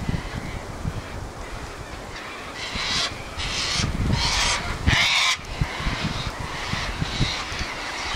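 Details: Sulphur-crested cockatoos screech and squawk at their regular gathering place in strong wind. A few loud, rasping calls cluster in the middle, and fainter squawks are heard behind steady wind noise.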